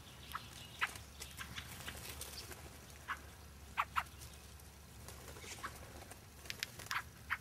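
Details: Fieldfares at Lee Common on 9 February 2012, giving faint, short, harsh chacking calls, some single and some in quick pairs, scattered over several seconds above a low steady rumble.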